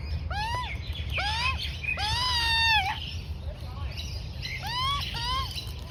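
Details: Australian magpie juvenile, about four to five months old, being fed by mum; arched squawks and one drawn-out whining call, with faint higher chirps and low background hum.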